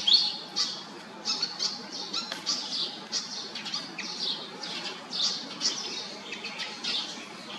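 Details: Harsh chattering notes from a Pied fantail, short rasping bursts repeated roughly every half second, fairly loud against a quiet hissy background.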